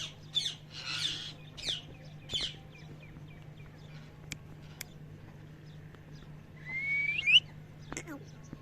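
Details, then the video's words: Parrot chirping: a few sharp high chirps early on, then quiet, then a clear whistled note rising steeply near the end, with a low steady hum underneath. "Parrot Natural Chirping Sounds"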